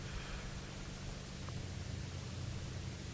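Steady broadband hiss with a low rumble, like wind or a running vehicle, and no animal calls.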